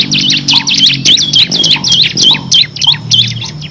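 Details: A vigorously singing bar-winged prinia of the kristal type in 'ngebren' style, a six-variation song used to train competition birds. It gives fast, loud, high chirps, hooked and rising, in a steady stream with faint lower notes between.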